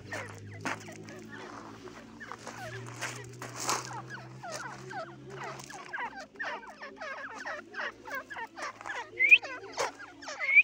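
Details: Chattering calls of Irani teetar francolin, quick jerky notes packed together and growing busier, with a low steady hum in the first half and two sharp upward squeaks near the end.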